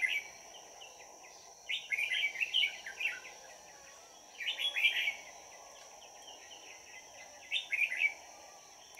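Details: Decoy red-whiskered bulbul used in bird trapping, recorded 22 December 2018, singing to draw in wild birds; three rich, chattering warbled phrases a couple of seconds apart, with a constant high whine and soft rumble behind.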